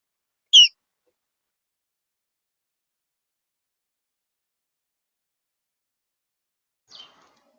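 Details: A female house sparrow gives one sharp, high chirp, then a much fainter chirp about six seconds later, with silence between.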